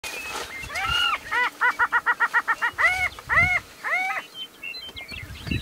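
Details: Prairie chicken giving a wake-up call of loud, nasal, arched yelps: a fast run of about ten cackling notes, then slower drawn-out whoops, with faint chirps of other birds.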